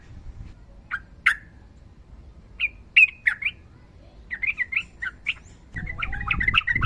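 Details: Yellow-vented bulbul, a female calling a male and a fighter bird, singing gacor style with long ropel trills as a training master. Scattered sharp notes, then a bubbly run of chattering phrases, with low rumbling noise near the end.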